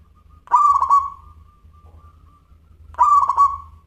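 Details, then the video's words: ['Local zebra dove in full song, described as a crystal voice. Two cooing phrases come about 2.5 seconds apart. Each opens with a quick stuttered burst of notes and ends in a long, level, drawn-out coo. A low steady hum runs underneath.'] "Perkutut Lokal Gacor Suara Kristal"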